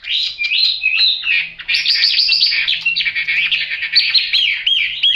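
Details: Chinese hwamei with yellow bill and legs singing a dense, loud warble of fast chattering notes and whistled slurs, ending in clear repeated looping whistles.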